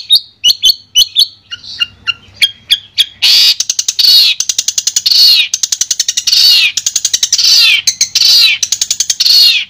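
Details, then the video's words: Long-tailed shrike song used as therapy for a shrike that has stopped singing: scattered sharp high chirps, then loud, harsh, rasping bursts alternating with quick chattering runs. "Terapi Suara Untuk Cendet Macet"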